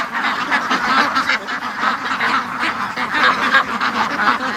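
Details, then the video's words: A flock of domestic ducks in their pen, late morning, quacking nonstop before being let out; rapid, uneven volleys of nasal quacks from several birds rise and fall in loudness. "See, they all were at the other end of the pen because it's been like an hour and 40 minutes of non-stop quacking."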